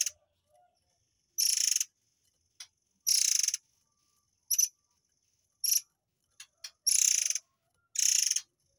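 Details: Murai air tembakan used to tutor white-rumped shamas: short harsh buzzy rattles of about half a second alternate with single sharp high clicks at irregular gaps over a quiet background.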